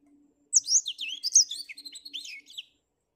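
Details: Black-throated finch singing on a cloudy morning: a rapid, high twittering phrase of chirps, slurred whistles and trills lasting about two seconds, with notes sweeping up and down; a faint low hum in the background.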